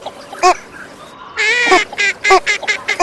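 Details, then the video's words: A female northern shoveler gives harsh, nasal quacks: one short note, then a longer rasping quack followed by a quick run of clipped quacks. "صوت طبيعي لأنثى أبومجرفة الشمالي|Northern Shoveler female"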